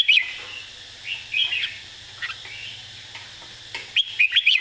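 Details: Easy model song for teaching birds, sung by a red-whiskered bulbul: an opening whistled flourish, soft warbling phrases in the middle, then a closing run of four lively, liquid notes.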